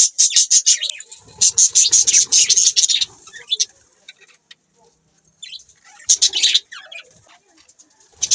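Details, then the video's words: Several budgies chattering in rapid, scratchy high chirps for about three seconds, then a quieter pause and another burst of fast warbling calls. "Budgies chirping sound"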